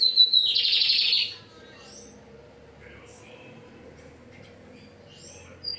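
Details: Lined seedeater (bigodinho) singing firmly: a clear high whistled note leading straight into a dense buzzy trill, about a second long, followed by quiet background hum.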